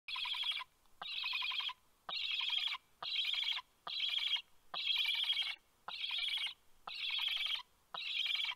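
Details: Black stork chick at a nest in Karula, Estonia, on 27 August 2022, the last sibling left, begging for about twenty minutes before a parent flew in and fed it: harsh, raspy, buzzing bursts about half a second long, roughly once a second.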